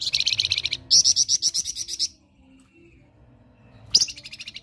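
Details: Flamboyan singing ngerok master song for training other birds: a rattling trill leads into a loud run of sharp high notes repeated about four per second. A silence follows, then a final chirp burst.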